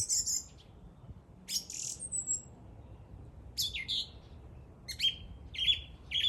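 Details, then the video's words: A bird sings high buzzy bursts and a falling whistle, then ends with three short repeated whistled notes. "The bird is singing."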